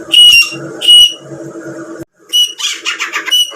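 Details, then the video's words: A female grey francolin calling, used as a hunting lure, gives loud, shrill whistled notes in short bursts about every second, then rapid, scratchy repeated notes, against a low background hum. "teetar ki awaz /grey francolin birds sounds"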